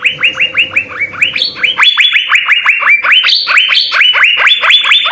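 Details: Master recording of an Asian fairy-bluebird singing hard with full fill-in phrases, for training songbirds. Continuous rapid upward-sweeping liquid whistles, some pitched higher, over faint low murmur at the start.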